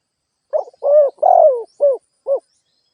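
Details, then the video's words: Spotted dove used as a lure bird, giving one low, hollow cooing phrase: a short lead-in note, two long rounded coos, then two shorter clipped notes, against a silent background. "Tiếng chim cu gáy kích boi"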